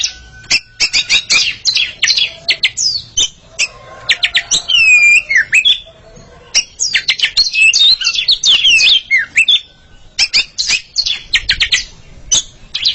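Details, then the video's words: Oriental magpie-robin pair competing in song: rapid series of sharp clicks and chips interrupted by looping whistled phrases, with brief pauses and loud bursts throughout. "Sepasang kacer sedang beradu kicauan"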